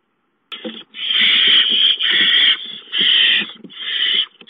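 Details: Barn owl owlets hissing as a mouse is brought in: harsh broadband hisses, each about half a second to a second long, in three or four bursts with short breaks between them.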